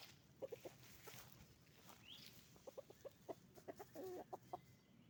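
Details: Noisy chicken farm with roosters and hens: many low clucks in uneven bursts and one longer buzzy cackle, with a single rising chirp early on.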